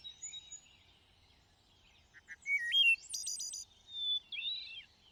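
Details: A thrush sings in lush greenery: soft high whistles, then a pair of short notes, a rising slurred whistle, a loud fast trill and a final wavering phrase.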